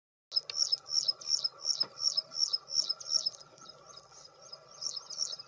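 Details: Graceful prinia in spring during courtship and mating gives a rapid series of high, thin chirps, about three per second, steady and repetitive, over a faint insect-like hum.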